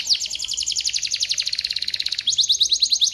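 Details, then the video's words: Canary singing steadily, a recording meant to prompt other canaries to sing; a very fast, high rattling trill of repeated downward notes, switching near the end to a slightly slower, sharper trill. "Suara Burung Kenari Gacor Sekali putar Kenari lain ikut Gacor bunyi"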